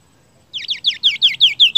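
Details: Seniper song used as masteran tutor material for kicau mania: a rapid series of about eight sharp, down-slurred whistled notes, evenly spaced, growing slightly louder, clean background.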